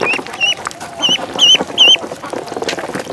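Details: Duckling in a pond peeping: clear high, slightly wavering notes repeated about every half second, with rustling and splashing noise behind.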